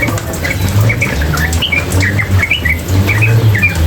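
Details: Sooty-headed bulbul female in full continuous song with water sounds: quick chirped and whistled notes, several per second, over a constant low watery hum.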